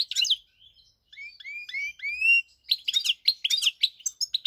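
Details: Song of a European goldfinch recorded 4 March 2022, opening with a quick twitter, then a run of clear, rising whistled notes, before returning to fast, tinkling chirps and trills.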